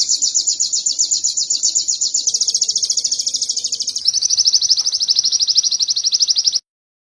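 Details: Canary from a modern sogon-style training recording: a continuous rapid high trill of closely repeated notes lasting over six seconds, dropping slightly in pitch around the middle.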